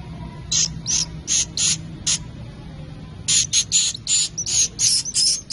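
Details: Swiftlet chicks giving high, hissing, raspy bursts in quick runs of about two to three per second, with a short pause in the middle before a denser series; a faint low hum underneath.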